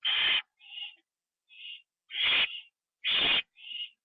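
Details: Owl at a nest on the night of October 9, 2011, 9:54 PM, as another owl delivers a bird that is eaten inside. Harsh hissing screeches about every 1.5 seconds, each trailed by a shorter, fainter rasp.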